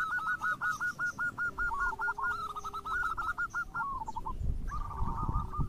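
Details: Local and crossbred zebra doves singing as a lure for other doves: a long, even chain of quick hooked coos that breaks into a warbled stretch, with low rumbling noise rising near the end.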